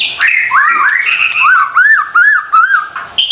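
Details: Lure recording of white-rumped shama song for stressed caged birds: level whistles, then a series of repeated arched, slurred whistled notes at a quick, even pace.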